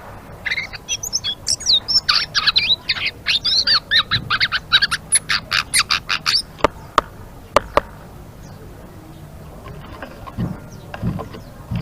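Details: Energetic ngeriwik twittering from a blue-winged leafbird, with quick high squeaky chirps for about six seconds, then sharp clicks and knocks in a quieter background.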